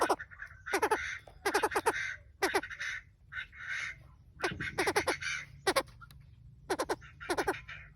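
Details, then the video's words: Male and female Chinese francolin calls used as a lure for wild birds: harsh, loud bursts of rapid clustered notes in rhythmic groups, with brief pauses between phrases. "Tiếng chim đa đa trống mái dụ bổi"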